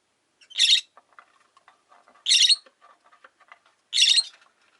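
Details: Rosy-faced lovebirds in a cage by a window give three loud rasping shrieks, roughly every one and a half seconds, over soft clicking chatter.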